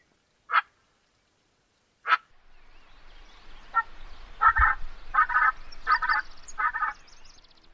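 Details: Common pheasant: two sharp clicks, then a run of grating, clucking bursts repeated less than a second apart over a low background hiss.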